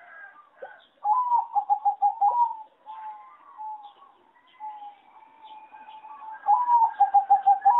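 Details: Competition singing zebra dove from one of many farms, its song judged bad; loud, fast trilled coo phrases repeat twice with a long drawn coo between, other doves quietly cooing and chirping nearby.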